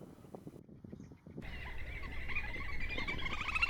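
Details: Little Grebe pair building a nest on a lake or flooded rice field in Prachuap, Thailand; after a quiet, low-rumbling opening, a sudden high, rapid whinnying trill starts and runs on continuously, pulsing and edging upward in pitch toward the end.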